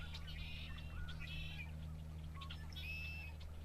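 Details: Red-winged blackbirds near the road on the car tour at Sacramento National Wildlife Refuge, January 2, 2016, recorded from a car: faint buzzy trilled bursts repeated about once a second over a steady low engine hum.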